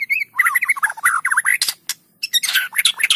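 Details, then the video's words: White-rumped shama in loud, busy song, used as a lure for reluctant singers: a dense stream of twisting warbled whistles and harsh chatter, a brief pause, then more rapid varied notes. "PANCINGAN MURAI BATU GACOR!! Murau Batu Malas Akan segera ikut Gacor"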